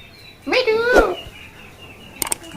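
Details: Caged talking parakeet (tia pakhi) offered for sale, Mirpur 1 bird market, uttering one voiced, speech-like sound rising then held, with a brief click afterwards; a person coaxes it to talk nearby.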